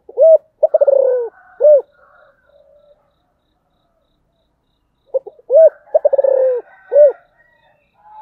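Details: Two phrases of a spotted dove calling in the giọng thổ style, about five seconds apart. Each has an arched coo, a fast stuttering rolled coo falling in pitch, and a final rounded coo, over near silence.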